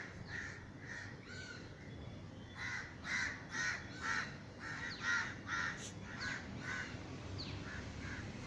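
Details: Crows disturbed by a crow-scaring gunshot in Sri Lanka circle over a garden, with a steady series of harsh caws at roughly two per second, several birds overlapping, over low-level background rumble.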